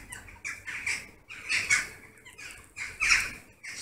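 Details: Western jackdaws massing at an evening roost in August, circling noisily above the trees; clustered bursts of short, scratchy calls rise and fall, separated by brief quieter gaps.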